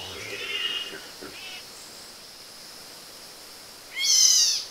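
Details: Vogelkop bowerbird at its bower in the Arfak Mountains, Indonesia: a nasal, harmonic, wavering call opens, a short note follows, then after a pause comes a loud, harsh, rasping burst. A steady high insect hum runs underneath.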